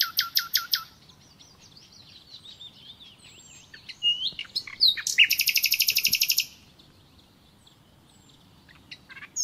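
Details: Common nightingale singing: a few loud broadband notes, a stretch of soft varied twittering, then a fast loud rattling series of repeated notes, ending with sharp chips; faint background hum.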